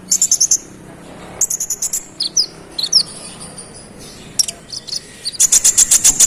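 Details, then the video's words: Konin (scarlet-headed flowerpecker) in provoking song: rapid trilled bursts of very high notes broken by thin, dipping whistles, ending in a fast buzzy trill. "KONIN GACOR ROLL NEMBAK NGOTOT Buat konin lain emosi"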